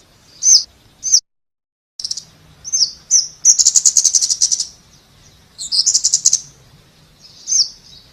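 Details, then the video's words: Scarlet-backed flowerpecker: sharp high zip notes, a brief silent cut, then a long buzzy ticking trill and further trills and zips. "เสียงนกชมพูสวน Scarlet-Backed Flowerpecker Sound"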